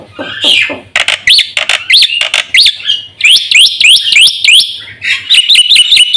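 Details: Lively, full song of a caged black-winged myna, used to lure and train other birds: scratchy opening notes, then sharp clicks and a run of bouncing, looping whistles repeated several times, ending in quick twisted phrases; faint low hum underneath.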